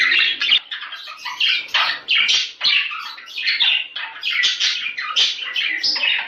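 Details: Budgerigar chatter used to prompt breeding: fast, scratchy warbling with bright chirps and harsh squawks tumbling over one another, in uneven pulses that never fully stop.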